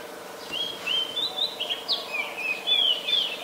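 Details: Chestnut-headed Bee-eater, an adult, in Ubon Ratchathani, Thailand, 13 February 2021, Nikon P1000: a rapid run of clipped, trilling chirps, about a dozen brief notes tumbling one after another, some rising, some falling, over steady low hiss.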